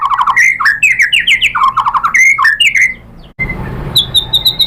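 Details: Murai batu, or white-rumped shama, singing a lure song to stir other birds into answering: rapid chattering run of rising and falling slurred notes, a brief pause, then a string of thin high repeated notes.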